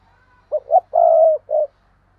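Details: Spotted dove decoy calling: two short hoots, a long mellow coo and a separate brief closing note, delivered close and clearly in quiet surroundings.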